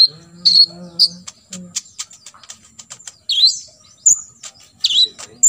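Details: Olive-backed sunbird song in the 'tembakan isian' style, used to tutor other birds: high piercing chips and a dense run of short ticking notes, with a faint low hum at the start.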